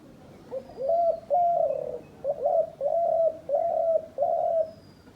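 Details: Decoy dove used by hunters, calling a steady series of six rough, low coos, each note swelling and breaking off abruptly, with faint high bird whistles in the background.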